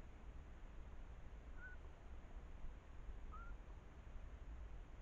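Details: Eurasian scops owl female duetting with a male a few metres away, perched on a camera trap at a monitored nest, recorded by an APEMAN H70: two short, level whistled notes about 1.7 seconds apart over steady hiss.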